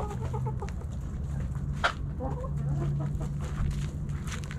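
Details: Hens and roosters in a backyard flock snacking at Thanksgiving; a quick series of short, repeated clucks opens, followed by a sharp knock and quieter scattered clucks over low-pitched hum.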